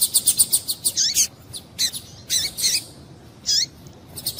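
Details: Double-collared seedeater female calling to stimulate males: rapid rhythmic high ticking notes open, followed by louder buzzy chirps and downslurred whistled chips at uneven intervals.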